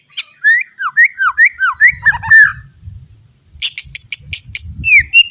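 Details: Caged white-rumped shama recorded as a tutor for young birds: a sequence of falling whistled slurs, a pause, then high rapid trilled notes and a final rising whistle, over low rumbling background noise.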